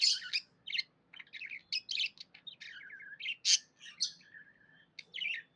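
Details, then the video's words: Budgie in a happy mood gives a string of high chirps and buzzy squeaks, some sharp and clipped, others drawn into short rasping phrases, spaced by brief silences. "Happy budgie chirping sounds"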